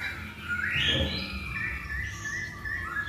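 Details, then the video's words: Masked laughingthrush singing, recorded as a lure to prompt birds to sing. One bright upward-sweeping whistle is followed by level and gently falling whistled phrases, with low rumbling noise underneath. "Pancingan Poksay Hongkong Paling Ampuh"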